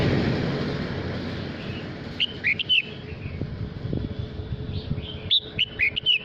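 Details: Male red-whiskered bulbul singing to call the flock: two short runs of clear, looping whistled notes, a few seconds apart, over a steady roar of traffic or machinery and a faint hum.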